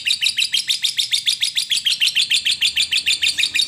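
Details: Lovebird in long ngekek, played as therapy so other lovebirds start singing: rapid, regular high-pitched chatter, each note a sharp buzzy chip, repeated steadily about three times a second, loud and unbroken.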